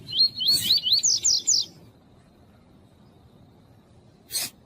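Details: Double-collared seedeater (coleiro tuí-tuí) song used to warm up males for tournaments, with a female calling: a rapid series of about eight high, slurred whistled notes, rising then falling, lasting under two seconds, then quiet and one brief noisy burst.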